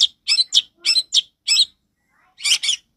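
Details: Long-tailed shrike singing loudly and clearly, as a lure for training young birds: a few scratchy, chattering notes, a short pause, then a harsh double burst.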